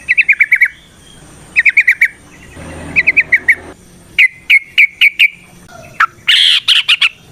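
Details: Sooty-headed bulbul (trucukan) song used as a lure to get other bulbuls singing: short bursts of rapid, bright, clipped notes in quick runs of four or five, separated by brief pauses, with a louder harsher burst near the end.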